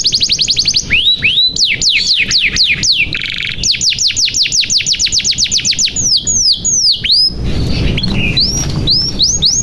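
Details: Canary in full song, played to spur silent or young canaries into singing: long runs of rapid, evenly spaced falling whistles, a brief buzzy trill, then sharp hooked notes, ending with some low background noise.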